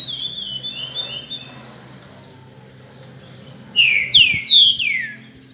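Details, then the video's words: A green-winged saltator, kept in a café alongside a curió and used to its noise, gives four loud, rich, slurred whistles, each dropping in pitch, after softer whistling at the start, over a low hum. "Puxada de Trinca Ferro e Curió!!! Esquenta de Fibra e Canto!!!"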